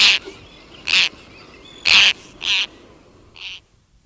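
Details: A single Roseate tern flies close by, with an Arctic tern colony in the distance. It gives five harsh, grating calls in quick, uneven succession, the last one softer. Faint colony calls and background hiss are also heard.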